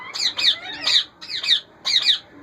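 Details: Indian ringneck parakeets in a breeding colony with chicks: harsh, screechy two-part squawks repeated in four bursts about half a second apart.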